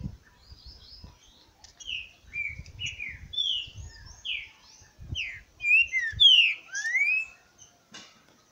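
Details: Trinca-ferro, green-winged saltator, recorded on 28 August around 11:48 in the morning: a lively string of clear, slurred whistles, some rising and some falling, delivered about twice a second over faint low rumbling.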